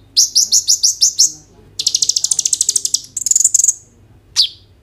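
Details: Kolibri ninja sunbird in vigorous 'gacor' song for prompting konin birds, recorded by phone: a quick series of seven high buzzy notes, then a longer rapid rattle, a shimmering trill and a single sharp downslurred note.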